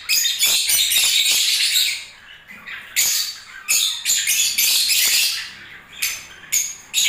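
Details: Breeding-season lovebirds producing rapid, shrill squeaks and harsh chirps in uneven clusters, with a short lull midway before the busy twittering resumes.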